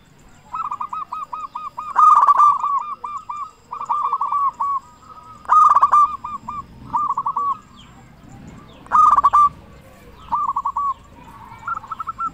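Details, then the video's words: Local zebra dove with a big, loud voice, used as a lure to get other zebra doves singing and stir breeding drive; bouts of rapid stuttering low coos recur about every three to four seconds, with sharp clicking knocks at each bout's start. "Perkutut lokal gacor suara besar cocok untuk pancingan burung perkutut supaya bunyi"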